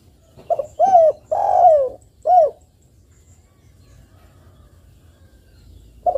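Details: Actively calling spotted dove, used to provoke other doves to respond: one deep cooing phrase of short and long hollow notes, followed by about three seconds of quiet and the start of a new coo.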